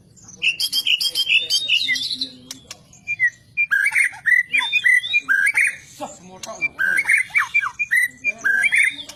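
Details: White-rumped shama song: rich, varied phrases of clear whistles, rising and falling notes and rapid chattering trills, delivered in loud bursts with short pauses between.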